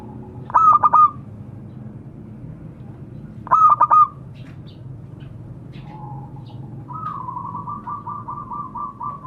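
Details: Local zebra dove calling to others: two loud bursts of three to four quick, clipped coos several seconds apart, then softer, longer trilled cooing from other doves in the background.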